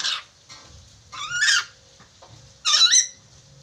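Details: Chattering lory, used as a training recording to help a lory learn to talk quickly. Three loud, harsh, harmonic squawks, the middle and last ones drawn out and wavering, separated by quiet gaps with faint low background hum.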